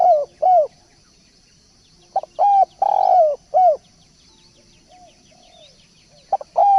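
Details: Lure calls of a spotted dove: mellow low coos in groups of three, with a brief lead-in note, a drawn-out rolling middle note and a falling end note, separated by pauses. Distant soft chirping of small birds.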